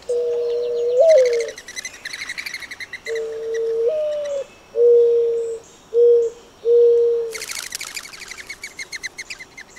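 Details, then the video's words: Monotonous low cooing by a Streptopelia turtle dove: a long note with an upward step, then a run of shorter, evenly pitched coos. Busy chirping and twittering of other birds overlaps, growing loud near the end. "Sounds of Streptopelia"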